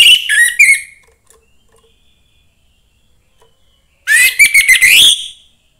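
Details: Orange-headed thrush, young and from the forest, ending a whistled phrase, falling silent for about three seconds, then launching into a rising, chattering burst of rapid notes.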